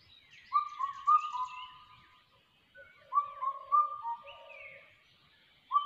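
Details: A crested hawk-eagle chick in ATR forest whistles in slurred runs, with one longer series of level notes. Lower, softer whistles follow, and a new series begins at the end. Faint bird chirps are heard in the background.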